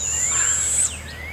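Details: Screech of a young barred owl, one of two owlets fed by their mother in Devil's Den Campground forest at dawn hours; a loud, even hiss nearly a second long, cut off sharply, with faint swooping bird whistles.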